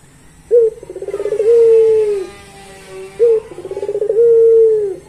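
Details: Pelung-type Barbary dove singing its long, melodious song. It gives a short loud note, then a quick stuttering trill that swells into a drawn-out smooth coo dipping at its close. The phrase is heard twice.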